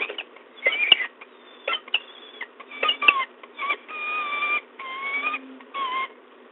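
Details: Peregrine falcons at the De Mortel nest ledge, Netherlands, 13 April 2022, early morning, as the male brings in prey: sharp clicks and chips give way to several drawn-out, slightly rising wailing notes with ringing overtones.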